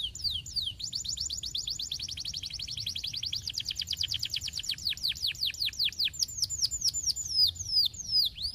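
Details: Training master of canary song: long rapid run of descending whistled notes, about three per second, shifting to higher slurred notes toward the end.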